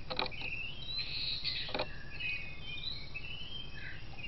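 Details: Rufous-tailed shama recorded by camera trap in Sabangau Forest, giving thin, high whistled notes that slide up and down, over steady low forest hum with a few rustling clicks.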